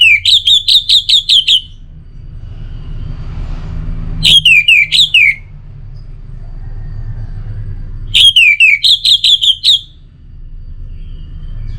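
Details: Kept Orange-headed thrush sings three loud bursts about four seconds apart. Each is a fast chain of piercing, down-slurred whistles, seven or eight to a burst, over a steady low background hum.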